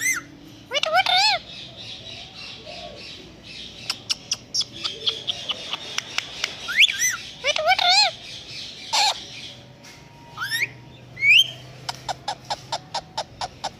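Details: Pet Indian ringneck parakeet talking and imitating a cat's voice: bursts of wavering, harmonic squawk-like notes and rising-falling cries, then a fast run of sharp clicks near the end, with quiet background noise throughout.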